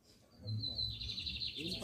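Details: Double-collared seedeater song: a clear high whistle slides into a rapid, rattling trill of repeated notes, while a man talks in Portuguese in the background.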